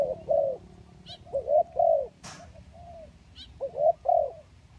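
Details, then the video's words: Spotted dove coos, recorded to lure kacuk and kampung doves: husky two- and three-note phrases separated by pauses, a soft trailing coo between, and a sharp click with faint bird chirps in the background. "Pikat Tekukur Kacuk dan Tekukur Kampung"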